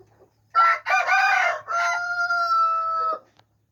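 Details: Red junglefowl crow, recorded 13 September 2021: two clipped opening notes, then a long, drawn-out, steady final note held for over a second, over a faint low hum.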